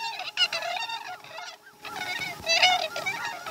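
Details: At a Chesapeake osprey nest during a slow-starting morning feeding (2019-12-12), an osprey gives high, harsh chirps in rapid strings, a brief lull, then louder overlapping calls, with a constant background hum.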